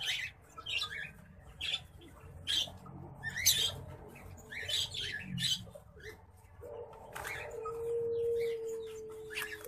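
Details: A pair of rare orange-breasted mutation zebra finches giving spaced nasal beeping calls, one every second or so, followed by a steady low mechanical tone near the end.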